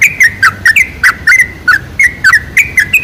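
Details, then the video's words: Sooty-headed bulbul song used as a lure to get other bulbuls singing: quick bubbly, slurred notes with overtones, about a dozen short phrases over three seconds, each dipping then rising. "PANCINGAN SUARA TRUCUK TERBAIK"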